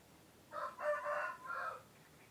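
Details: Male laying-type chicken crowing, a call usually given in the morning to mark night turning to day; several joined syllables, a rising start, a strong middle stretch and a falling close, heard at moderate distance over steady background hiss.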